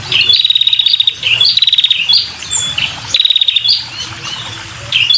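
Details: A female red-headed prinia calls to draw in males: loud, high, dry rattling trills in three main bursts, overlapped by short sharp chirps, over a faint low hum.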